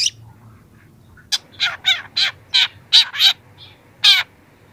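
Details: Young long-tailed shrike, recorded to train and lure other young birds: after a second of near quiet, a string of about eight loud, rasping, buzzy notes, some doubled, with short gaps between them.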